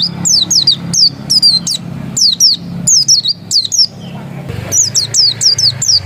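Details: High, fast Oriental white-eye song from a dakun-type bird described as still original: clustered downward-sweeping chirps repeated steadily, nearly continuous, over a low background hum.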